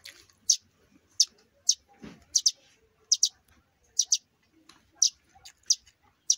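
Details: Sparrow chicks, two young birds that fell from their nest: sharp, high, dry chirps given singly or in quick pairs about every half second to second, with faint handling noise in a quiet room.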